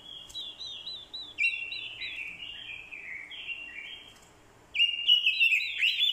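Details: Orange-headed thrush lure bird giving fighting song, with female calls used to provoke the male. Rich warbled phrases slide up and down, broken by a pause, then a loud burst of fast, looping, sharp notes near the end.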